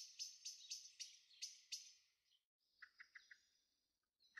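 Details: In a garden on 23 May 2013, a young Eurasian blackbird gives a string of bright, high chirps about every quarter second, followed by softer lower notes and a thin whistle.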